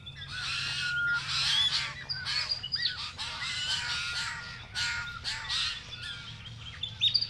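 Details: White-winged choughs in a family group in the Capertee Valley, New South Wales, Australia, in October 2018: a busy stream of overlapping calls, with many short downslurred whistled notes and rougher grating notes following each other closely, and a low steady hum underneath.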